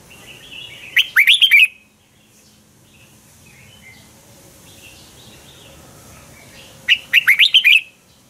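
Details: Red-whiskered bulbul singing a morning fighting song used to train other birds; two short bursts of loud, fast whistled notes around six seconds apart, with quiet background between.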